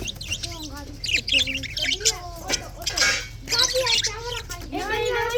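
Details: Pet budgerigars in morning chatter, February 24, 2024: rolling warbled notes that bend up and down, with scratchy high chirps and a noisy rasping burst midway.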